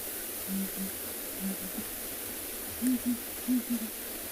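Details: A male and female southern ground hornbill duet from the bush at sunrise on 22 April in the Kalahari, South Africa, in deep, booming notes in groups of three or four; the female calls first and higher, the male lower and deeper.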